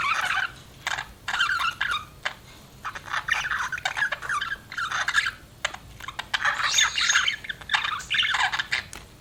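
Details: Pet budgerigar chirping: bursts of scratchy, warbling chatter with rapid clicks and squeaky notes, coming in uneven phrases separated by short pauses.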